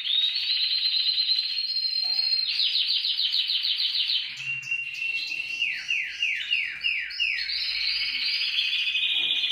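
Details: Canary song used to prompt other canaries to sing: loud continuous warbling with fast trills and rolling tours, including a run of sweeping downward notes, steady and unbroken throughout.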